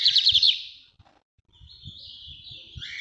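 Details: Northeast-style song of a lined seedeater, the bigodinho or estrelinha of Brazil: a quick, bright trill of repeated notes, a short gap, then a thin, wavering, slightly buzzy phrase, over light low knocking sounds.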